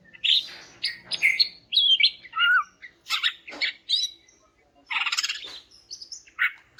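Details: Greater green leafbird song meant to prompt quiet males to answer: a rich, varied run of whistles, slurred notes and harsh chattering phrases, with a buzzy trill near the end.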